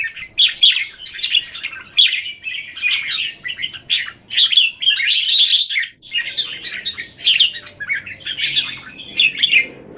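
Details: Singapore, 17 January 2019: caged red-whiskered bulbuls, one pitted against several, sing in overlapping bursts of bright chirps and warbles; faint low background hum in the second half.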